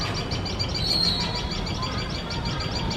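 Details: Tailorbird pair keeping watch over their nest, calling loudly in alarm as a male cat sits very close; shrill, high chirps repeated rapidly and continuously over a low rumbling background.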